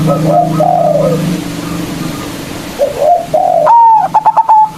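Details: Local zebra dove, a loud-voiced bird used as a lure for rivals: soft arched cooing from other doves fills the opening, then a clear whistled note gives way to a quick run of short clipped notes.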